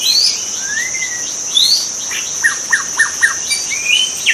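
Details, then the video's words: Wild white-rumped shama in natural habitat: clear whistled upslurs and a rising sweep, then a run of four evenly spaced sharp chipping notes and a final high whistle, above a constant shrill insect hum. "kicau murai batu di alam liar"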